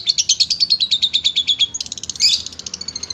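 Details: Long-tailed shrike (cendet) tutor song: a fast, even chatter of high notes, slightly falling, followed by quicker clicking notes and a short harsh burst, then softer whistles fading out.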